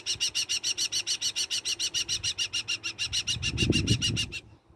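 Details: An adult male New Zealand falcon, attempting to feed prey to adopted Muscovy ducklings at Hamurana, Rotorua, New Zealand, in September 2020, gives a harsh, rasping chatter of rapid, even notes, three or four a second; low thumps and rustling near the end.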